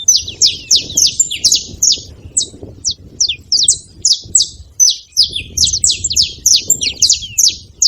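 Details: A group of wild saffron finches at a feeder keeps up a busy chorus of bright, clipped chirps, each note a quick high slur, repeated almost continuously with brief pauses, against a soft low rumble.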